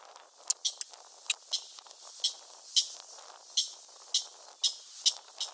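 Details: On South Padre Island, Texas, on 26 April 2021, a Clapper Rail (Rallus longirostris) calls with a series of dry, harsh clacking notes, about two a second and unevenly spaced, over a steady background hiss.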